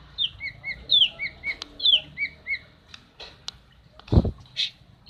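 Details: Female common iora call meant to prompt a silent male into song: paired whistled notes, a high downslurred note followed by a lower short one, repeated steadily, then clicks and a brief rustling noise.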